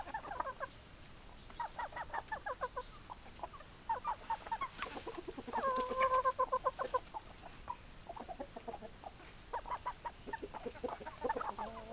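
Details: Hens clucking in bursts of rapid, short, throaty notes, with one louder drawn-out call in the middle, over steady background hiss.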